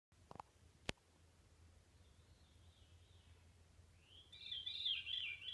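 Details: Veery singing along the Salamander Trail near Hawksbill, Shenandoah National Park: a faint, breathy phrase, then a louder fluty, ringing phrase that spirals downward. A couple of sharp clicks and a low hum are also heard.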